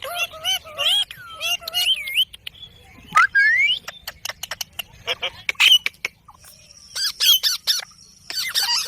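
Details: Ring-necked parakeet, a pet talking parrot; wavering nasal phrases and squawks alternating with rapid sharp clicks and chirps, some whistled rising notes, in bursts with short silences.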